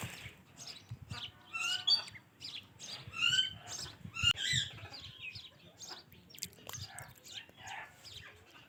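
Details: Ringneck parakeet talking in a quick jumble of chirps, short whistles and clipped syllables, loudest around the middle of the stretch, then fading to softer chatter against faint low rumble.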